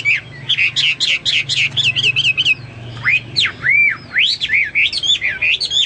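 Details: Vigorous Hwamei song for training pet birds: fast sharp repeated notes give way to loud, deep, swooping whistles, some arching slowly and some fast and clipped, with a soft low hum underneath.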